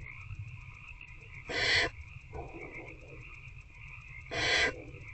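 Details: Barn owl nest box at night, 19 February 2024, an adult feeding an older owlet; two rasping hisses three seconds apart, a fainter breathy sound between, over continuous background hum.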